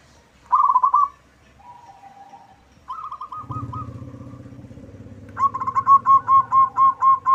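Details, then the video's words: Loud local zebra dove, used as a lure to get other doves answering. Rolling purred coo bursts and a softer trill open the recording, then a motorcycle engine rumbles in before a long run of evenly pulsed coo notes. "Perkutut lokal gacor suara besar cocok untuk pancingan, langsung nyaut semua."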